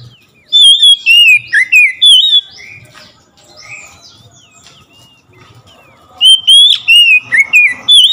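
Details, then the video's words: Oriental magpie-robin singing vigorously once it hears another magpie-robin: two loud bursts of fast, looping whistles and chirps with quieter warbling in between. "SEKETIKA MENDENGAR KACER LAIN LANGSUNG IKUT GACOR"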